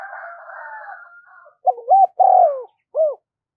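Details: Lure spotted dove cooing to attract wild doves. A drawn-out, harsher, higher crowing-like sound comes first, then a clear low dove phrase of a double coo, a long burry coo and a short closing coo.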